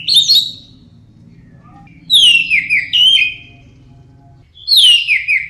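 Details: Song of an orange-headed thrush, played to coax birds into loud singing: bright, downward-slurring whistles followed by warbled notes, repeated in phrases roughly every two to three seconds, with a faint low hum behind.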